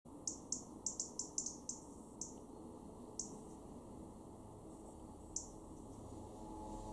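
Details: A European robin in a garden in Weener, East Frisia, northwest Germany, in November 2023 gives a quick run of sharp, high ticking notes, about ten in three seconds, then a lone tick, over a low steady rumble.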